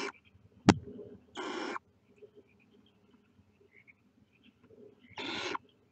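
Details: Barn owl nestlings peering out of the nest produce two rasping, noisy hisses, each about 0.4 seconds long and nearly four seconds apart, after a single sharp click, over a quiet low hum.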